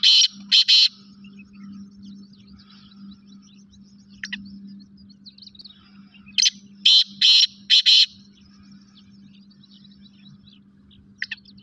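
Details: Black francolin, known locally as kala teetar, giving harsh, grating bursts of rapid notes in two clusters several seconds apart, with a few faint single notes between them, over a steady low electrical hum.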